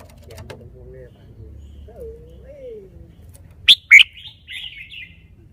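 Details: Red-whiskered bulbul, a cage bird, showing its song phrasing: after low faint background sounds, two sharp loud whistled notes ring out, followed by a softer warbled trailing note.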